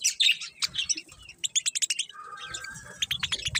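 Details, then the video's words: Several colourful budgies chirping, giving bright, rapid clicks and tweets in quick succession, with a short, steady whistled note partway through the busy high chatter. "Cute Colourful Budgies Chirping Sounds"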